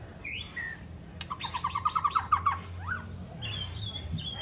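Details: Long-phrased song of a white-rumped shama, meant to fire up weak-singing shamas; opens with two whistles, then a fast string of about ten clipped, rising notes, followed by thin high whistles.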